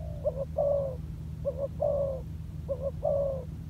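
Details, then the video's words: Three phrases from a spotted dove decoy being trained on the ground: a doubled short coo then a drawn-out, gently falling coo, evenly spaced, with steady low background hum. "លលកធ្នាក់ចុះដីចេញក្បាច់បណ្តើរៗហើយ - Pikat Terkurkur trianing on land"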